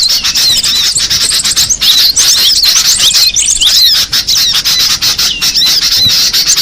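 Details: Cinereous tit calling in the wild with dense, shrill chirps and quick upward and downward squeaks, almost unbroken for the whole stretch, over steady ambient noise.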